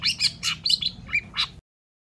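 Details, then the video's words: Long-tailed shrike in a brief, dense run of song: harsh, scratchy chirps and squawky notes jammed closely together, ending abruptly after about one and a half seconds. "SUARA CENDET GACOR"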